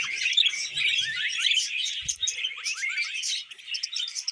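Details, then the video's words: Pet budgies chattering over a meal of vegetables, a nonstop rapid warble of high chirps, short trills and scratchy notes, with one low thump partway through. "Happy Budgies Singing"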